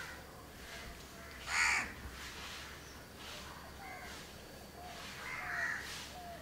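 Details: In Candolim, Goa, India, in December 2010, one of a grooming house crow (Corvus splendens) couple gives two harsh, rasping caws about four seconds apart, with softer scratchy notes between them over a faint low hum.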